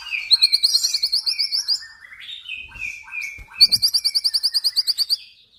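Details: White-rumped shama, a male from an F-series cross, giving a fast, high, evenly repeated trill, then lower whistled notes, then the same rapid high trill again.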